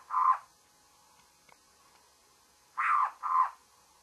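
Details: Morning calling by a babbler: rasping, broad mid-pitched notes, one at the start and then a pair about two and a half seconds later, with faint clicks and a low hiss in between.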